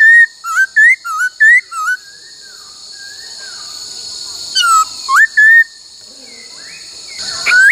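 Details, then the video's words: Laughingthrush being trained to sing the "bắt cô trói cột" phrase, delivering a fast run of five dipping whistles, a quiet gap, then three more notes, with a steady high-pitched hum throughout. "Luyện khướu hót bắt cô trói cột , luyện hót nhiều giọng cực hay"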